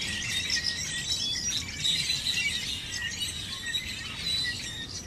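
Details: Hundreds of birds gathered in a field in Chandler, Arizona, on 1 October 2014, near corn. A dense, continuous chorus of overlapping high chirps and short whistles fills the air, with faint low wind rumble underneath.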